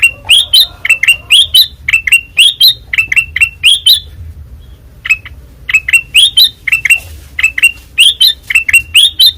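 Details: ['Loud ngeplong song from a white-eyed ruby-throated bulbul (kutilang emas): groups of crisp, rising whistled notes in rapid sequence. A brief gap falls near the middle before the energetic series resumes.']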